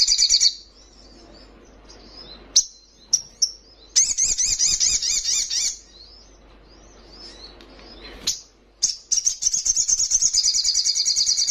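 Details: A young Little Spiderhunter (sogon trotolan), noted as highly vocal and rival-provoking, alternates sharp high chips with long rapid wavering trills, one near two seconds and another running to the end.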